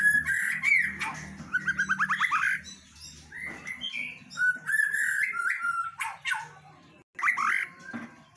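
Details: Female white-rumped shama singing busily throughout: a varied run of clear whistles, fast buzzy trills and short sharp notes, rising and falling in quick bursts with brief pauses between phrases.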